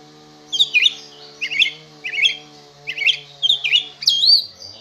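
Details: Oriental magpie-robin (kacer) in contest condition, singing steadily: a run of six similar chattering, twisting whistled phrases about every half second, ending in a long looping whistle, over a faint low hum.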